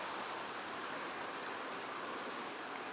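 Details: Only a constant, airy hiss like rushing water or wind is heard, with no animal sound.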